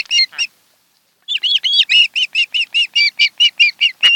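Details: Osprey pair at their nest on Kent Island, Maryland, filmed by a nest camera on a July 2018 afternoon: a short double chirp, a pause, then a fast run of about fourteen bright, ringing, slightly downslurred whistled chirps.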